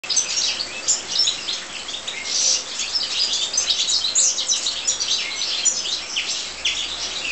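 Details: European goldfinches in an aviary, a dense twittering chorus of quick high chirps and tinkling notes overlapping without pause, with a few brighter whistled notes near the four-second mark.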